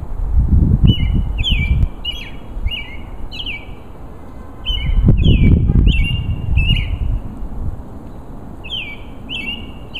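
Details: A male robin sings to attract a mate: short, clear, slurred phrases that drop slightly in pitch, repeated in quick runs with brief pauses, over bursts of low wind rumble.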